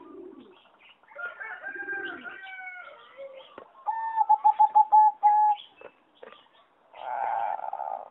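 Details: Competition-bred singing zebra dove in an aviary on 26 April 2014 delivers a quick stuttering burst of about eight ringing coos at an even pitch, with whistled and chattering calls from other caged birds before and after.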